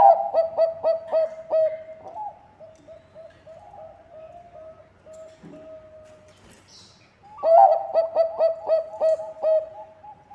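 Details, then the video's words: Bangkok zebra dove singing, used to coax other birds into song; bursts of rapid, evenly spaced ringing coos open and close the clip, with quieter sustained cooing between. "Perkutut bangkok gacor suara cocok untuk pancingan"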